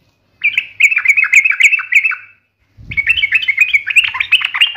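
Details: Yellow-vented bulbul in the 'gacor ngalas tajam tarung' song style: two long, lively strings of quick, warbled, up-and-down notes separated by a short break, with low knocking sounds under the second string.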